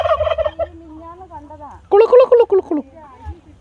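Wild turkey gobbling: two rapid, rattling bursts of throaty, bubbling notes, each lasting under a second, separated by a quieter pause.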